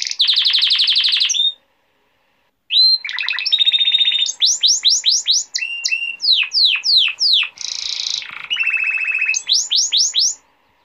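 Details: A male canary sings for teaching youngsters and rousing females: a buzzy trill, then over a second of silence, followed by mixed whistles, a long series of sharp falling notes, another buzzy trill and quick chirps.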